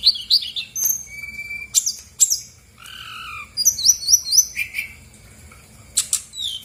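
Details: Brown-chested jungle flycatcher lure song to spur unresponsive birds: mixed sharp chirps, a lower downslurred whistle, and fast repeated high zigzag notes.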